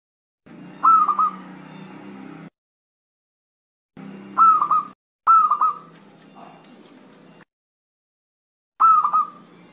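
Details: Zebra dove, a bird usually reluctant to call, answering right away. Four short cooing phrases around low-mid pitch, each a quick stuttering series of soft notes with a lingering tail, separated by pauses and abrupt cuts of silence.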